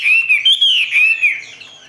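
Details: Captive Chinese hwamei singing a short run of loud, clear whistled phrases that slide up and down in a rich, warbling line before fading out.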